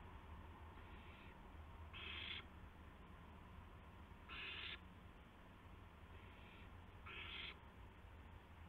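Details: Owl on a live nest camera on a March evening at 8 PM, delivering a gopher; harsh hissing screech-like bursts of about half a second, roughly every two to three seconds, over a steady low hum.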